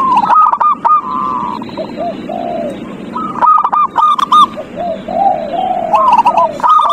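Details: Perkutut, or zebra dove, singing as a lure for a quiet dove that will not sing: quick bursts of hooked, bubbling coos, each trailing into lower drawn-out notes, repeated in two phrases with short pauses.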